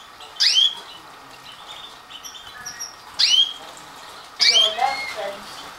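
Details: Stafford canary chicks just beginning to leave the nest, 1/9/2012, give three loud, squeaky, rising calls a second or two apart, over faint thin chirping from other birds.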